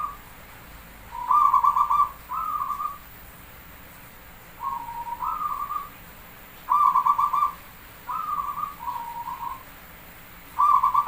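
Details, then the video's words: Javanese zebra dove (perkutut) song with counted beats: a series of short pulsed cooing phrases and softer rising notes, repeated every couple of seconds over a quiet background. "Suara Jumlah Ketukan perkutut pandai burung Paling Gacor | Merbok perkutut Jawa Pancingan Gacor"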